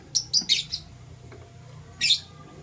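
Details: Lovebirds chirping in the morning while scrambling for vegetables: a quick burst of three or four harsh, high chirps, a pause of over a second, then one more bright chirp over a quiet low hum.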